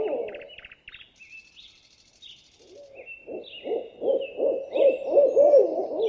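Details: Owl giving a run of short, wavering low hoots that grow louder and quicker through the second half. Thin, high twittering and whistles from other birds sound above them.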